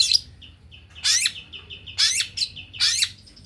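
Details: Male white-rumped shama in fast, dense singing: loud harsh buzzy bursts about once a second, alternating with short clear whistled notes in between.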